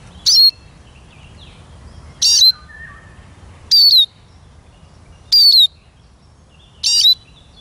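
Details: Eurasian siskin calling five times, each a harsh burst drawn into a downslurred whistle, roughly every one and a half seconds; a faint lower whistled phrase from another bird in between.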